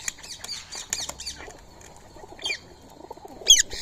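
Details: Free-living Indian ringneck parakeets feeding on soaked rice and corn at 6:30 on a March morning; a rapid series of harsh, rising-falling screeches, then a pause and two more sharp squawks against a quiet background.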